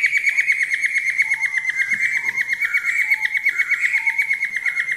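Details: Sustained rapid trill from a falk bird, used as a training recording, pulsing about three times a second on a steady pitch, with faint lower whistles in the background.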